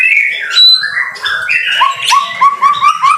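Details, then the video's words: White-rumped shama in the rain, rich varied whistles sliding up and down, then a quick series of short upslurred notes repeated about every quarter second. "BIRD SOUND IN THE RAIN SUPER SPECTACULER / MASTERAN MURAI BATU GACOR"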